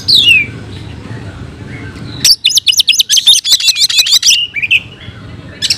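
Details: Oriental magpie-robin in fighting song: a descending whistle, a quiet pause, then a sudden loud run of rapid, sharp chattering notes ending in a slurred whistle.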